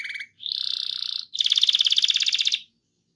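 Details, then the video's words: Canary rolling song used to spur other canaries into singing: two dense buzzy trills, high and continuous, divided by a very short gap. "RANSANG BURUNG KENARI CEPAT BUNYI GACOR DENGAN SUARA KENARI GACOR NGEROL INI!"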